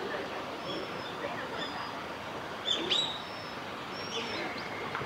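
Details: Japanese and Bohemian waxwings in Hiratsuka, Kanagawa, Japan, on 14 February 2021 give very high, thin, lisping trills, a few short ones spread across several seconds, over steady background hiss.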